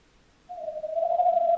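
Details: Tawny owl calling on 11-01-2026: a single sustained, mellow hoot that starts suddenly and holds an even pitch for over a second.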